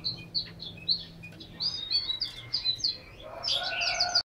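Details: Caged Chinese hwamei in Hanoi, Vietnam, singing quick whistled notes that speed into a dense, bubbling flourish, with a lower, richer phrase underneath before the sound cuts off abruptly.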